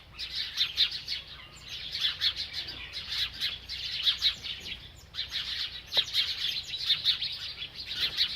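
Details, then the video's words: While eating, a bird keeps up a busy chatter of bright, high chirps in dense bursts lasting one to two seconds, with a short pause near the middle. "This Happy Bird Won’t Stop Eating and Chirping"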